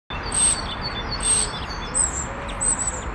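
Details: Starling perched on a branch in the evening with its flock, stretching and chattering. Short thin high whistles come in brief bursts about once a second, each with a soft rushing burst, over steady low background rumble.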